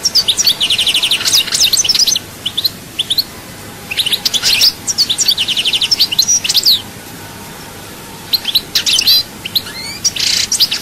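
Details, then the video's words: Long goldfinch song from Souk Ahras: repeated bursts of rapid tinkling twitters and short buzzy trills, separated by quiet gaps, ending with a harsher buzzing phrase. "chant chardonneret"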